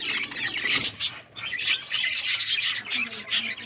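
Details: Budgerigars in a breeding colony, recorded on October 29, 2023: a dense, continuous chatter of many overlapping warbles, chirps and squawks with no pause.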